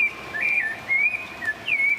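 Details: Rufous-bellied Thrush singing from a street tree in Brooklin, south São Paulo city: clear, mellow whistled phrases, short slurred notes rising and falling, about four phrases in two seconds, over a faint hush; it sings constantly, even at 3 a.m.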